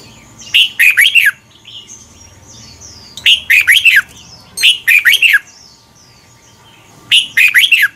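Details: Red-whiskered bulbul from Thailand, played as a double-phrase training song for young birds to copy. Four bursts of bright, quick, sharp warbled notes with pauses between them, and faint thin whistles in the gaps.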